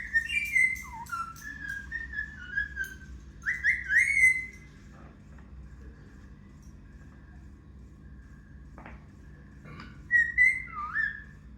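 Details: Indian ringneck parrot kept as a pet, known to mimic words, whistling indoors: a quick series of bright notes with dips and upward flicks, then a long quiet stretch with a low hum and a click, and one final whistled phrase near the end.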